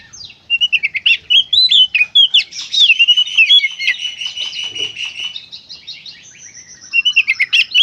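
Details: Magpie-robin delivering nonstop gacor konslet song for stimulating other magpie-robins: dense rapid chirps and buzzy whistled slurs, a sustained trilling passage in the middle, softer notes, then a closing burst of quick chips.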